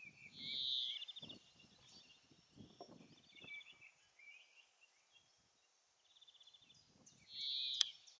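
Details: Eurasian bullfinch (Pyrrhula pyrrhula) call: two soft, mellow piping whistles about seven seconds apart, with faint twittering from other small birds and low rustling in between.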